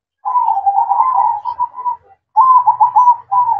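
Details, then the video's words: At night, a zebra dove (perkutut) performs its manggung song: a long, gently trilled cooing phrase, a brief pause, then another rolling burst of rapid, mellow coo notes. A faint low hum sits underneath. "Suara Merdu Perkutut Manggung Di Malam Hari"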